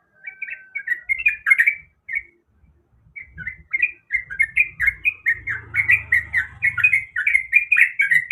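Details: Sooty-headed bulbul female in breeding condition calling a male: a short chattering burst, a brief silence, then a long, steady stream of quick warbled notes with a faint low hum behind.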